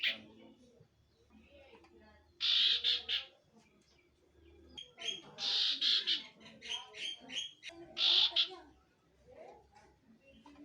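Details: Common iora singing in three loud, harsh bursts of chirping notes high in pitch, separated by quieter gaps with faint low rumbling and soft background noise.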